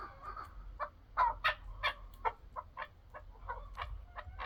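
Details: Chukar partridge giving a run of short, harsh clucking notes, repeated roughly every third of a second with some louder bursts in the middle, over a faint low background rumble.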